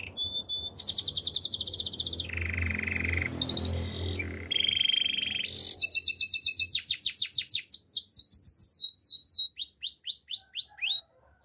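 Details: Canary song for training: bright high trills change into a lower buzzy roll, short tours, then rapid rising whistled slurs. The song breaks off abruptly at the end.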